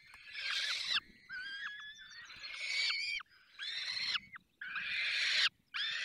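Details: Harsh, hoarse screeching from falcons at a nest in the Barycz Valley at feeding time. Each grating call lasts about a second and comes in an irregular series, mixed with fainter thin, wavering whistles between calls.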